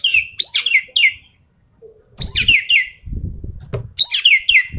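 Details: Javan pied starling singing in the full tembakan style: three bursts of harsh, descending, rasping notes high in pitch, in two runs separated by quiet, with low thumps and knocks in the background.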